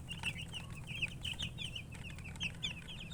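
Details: Chicks of the domestic chicken chirping: short, shrill peeps repeated several times a second, some notes sweeping down, with faint clicks and low hum behind.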